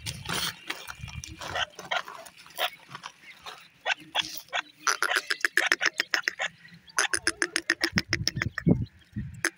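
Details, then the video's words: Grey francolin (teetar) chicks feeding at night: rapid series of sharp, clicking chirps in dense bursts, speeding into an even run of short notes near the end, with low rumbling and some voices at the start. "pheasant chicks are also called feed at night,lovely chicks teetar"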